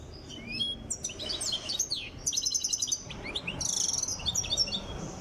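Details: Trained Tiaret goldfinch nearing readiness sings a continuous, varied medley of high twitters, quick slurred whistles and short buzzy rattles with hardly any pause, over low background noise.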